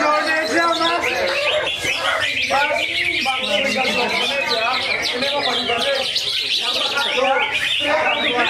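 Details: A greater green leafbird at a songbird contest pours out a dense, fast run of varied chirps, whistles and mimicked notes, amid music, applause, other birds and people talking.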